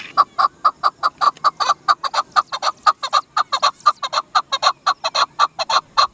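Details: Chukar partridge (Dasi chakor) giving a rapid run of sharp, clucking chuk notes, about four or five each second, steady and unbroken throughout with a dry, clipped quality and no other clear sounds.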